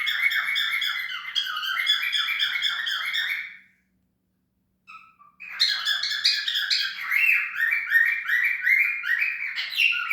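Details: Cockatiel calling in long stretches of loud, rapid chattering squawks and chirps, dense and raspy with strong harmonics, broken by a pause of about a second and a half before the noisy chatter resumes; faint background hum.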